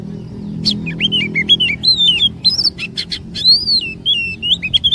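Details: Oriental magpie-robin song used as a lure to get other magpie-robins singing long rolling phrases and bringing out their stored imitations: a lively run of clear, slurred whistles around mid-high pitch, broken by sharp dry clicks, over a low background hum.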